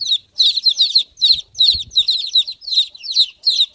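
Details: High, shrill chick peeps pouring out in dense clusters of falling notes, several overlapping, with a soft flutter or thump near the middle.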